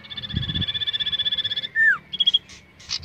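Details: Caged common iora under contest training: a sustained high rattling trill, then a loud down-slurred whistle and a few short high notes, with some faint low thumps and noise.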